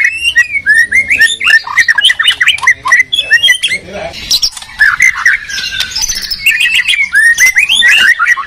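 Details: White-rumped shamas, one from Medan and one from Borneo, trading harsh scolding notes and quick twisting whistles in a heated singing duel, each bird's phrases answered almost at once.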